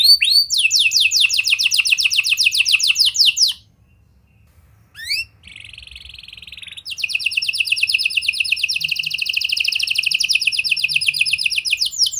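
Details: Canary song to stimulate juvenile canaries: a long rapid trill, a pause of near silence, a short buzzy section, then a sustained very fast high trill running to the end.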